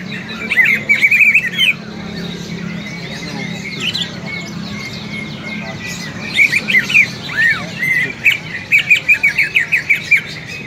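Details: Fighting calls of a greater green leafbird, used to train other leafbirds' fighting spirit: loud chattering bursts, whistled slurs and rapid repeated chip series near the end, against steady background noise.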